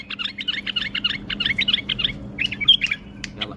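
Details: Tame male bulbul from Baghdad, Iraq, singing while fluttering its wings: a quick run of about twenty short, bright chirped notes, a brief pause, then a few sharper, higher notes, over a steady low hum.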